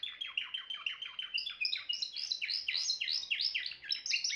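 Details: Singing Timbrado canary: a series of repeated down-slurred notes that speed up into higher, tighter rolling phrases, all clear against a quiet background.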